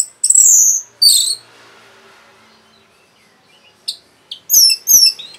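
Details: Orange-headed thrush, rapid song to provoke other birds: two thin, very high whistles, a pause, then short sharp chips and a pair of high slurred notes.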